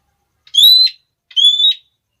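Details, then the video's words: Red-cheeked parrot calling to stir other parrots into noisy calling: two piercing, whistled klee-like notes, each about half a second and gently rising, spaced under a second apart against silence. "suara panggilan burung NURI Pipi merah bikin NURI lain jadi gacor ribut"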